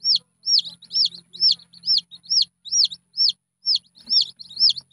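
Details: A red junglefowl chick gives a regular series of shrill, arched peeps, about two each second, clean and loud against quiet low rumble.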